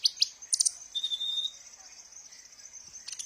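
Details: Sunbird song used as a lure for captive birds: a few loud high chirps, then a thin, steady whistle lasting about half a second, followed by softer hissy twittering.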